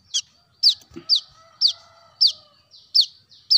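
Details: Brown-throated sunbird calling as a bird lure: a fast, even run of about eight thin, high, down-slurred chips, nearly two per second, with a faint steady tone behind.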